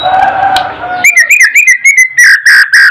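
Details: White-rumped shama singing, used as tutor material to rouse other birds: a steady low tonal hum for a second, then a quick run of short, bright whistled notes with strong overtones, ending in several loud, evenly spaced phrases.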